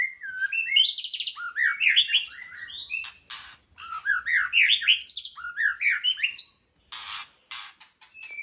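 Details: A white-rumped shama delivers fast runs of looping, slurred whistles, stepping up and down in pitch, mixed with buzzy harsh notes, brief silences and a sharp rasping burst near the end.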